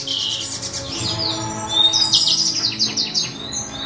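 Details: C. frontalis chick being hand-reared gives quick, repeated high chirps, roughly three per second, some pure whistled notes, over a low background hum.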